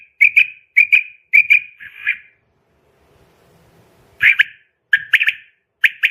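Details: Repeated sharp whistled calls of a female common quail in paired and tripled notes, broken by a brief stretch of low rustling before louder phrases resume.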